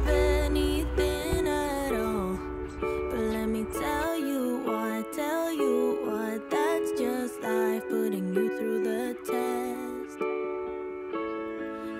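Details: Gentle instrumental music with a ukulele-like plucked melody plays throughout, and no animal sounds come through.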